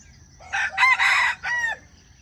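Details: Close, loud crow of a junglefowl, the sound trappers use to attract wild chickens: a short rough opening note, two strong broad bursts, then a separate drawn-out falling final syllable.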